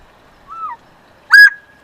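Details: Pair of Northern bobwhite quail: a soft, short whistled note followed after a pause by a loud, sharply rising, ringing whistle in the two-part bob-white pattern, against a quiet background.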